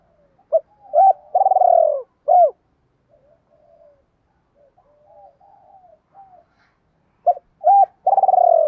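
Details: Spotted dove singing the "đồng pha" style coo to call females. Clipped hooked notes lead into a long vibrating coo. A quiet stretch of soft low murmurs follows before the phrase starts again.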